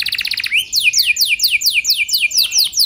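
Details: Canary singing as a lure for other canaries: a short rapid trill, then evenly spaced, sharply descending whistled notes repeated about five per second.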